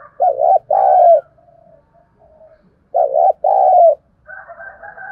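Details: Spotted dove kept as a lure bird, cooing to provoke and draw in wild doves. Two throaty, low coo phrases, each a short note followed by a longer, fuller one, about two seconds apart, with faint chirping at the end.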